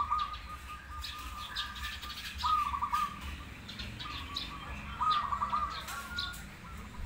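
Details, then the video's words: Zebra dove from a crossbred versus local pairing: three short bursts of fluttering, quickly repeated coo notes about every two and a half seconds, separated by quieter background hum. "Perkutut gacor Krosing Vs lokal"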